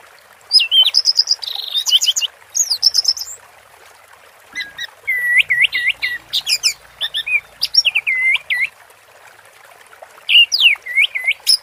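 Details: Song of an orange-headed thrush in 'teler' style with water therapy sounds: loud looping whistled phrases in clusters, a quieter gap around four seconds, then more curling notes over a soft steady wash.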